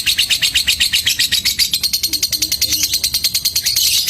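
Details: Rapid ticking song ('ngetik') from a fighter lovebird being mentally tested: dense, piercing chirps repeated in a brisk, slightly uneven pulse, staying high and bright throughout with no other sounds.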